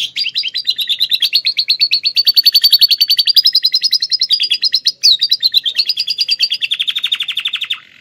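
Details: An Atlantic canary delivers a song stuffed with lovebird imitations, recorded in Klaten. It is one unbroken rapid trill lasting about eight seconds, shifting pitch slightly between phrases and ending in a lower rattling run.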